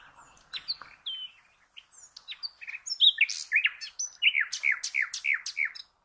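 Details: A common nightingale (Luscinia megarhynchos) sings a rich, varied phrase: scattered whistles and clicks, then a run of loud, downward-sliding notes repeated about three times a second.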